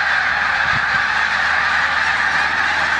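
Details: A flock of snow geese in a corn field in Savannah, New York, 14 March 2020, pausing before migration to the Canadian tundra with Canada geese nearby; a steady wall of many overlapping yelping honks.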